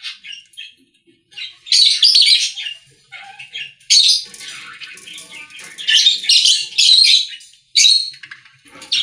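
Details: Budgerigars in a pet store give loud bursts of buzzy, squawking chatter with whistled notes, quieter soft twittering between the louder outbursts.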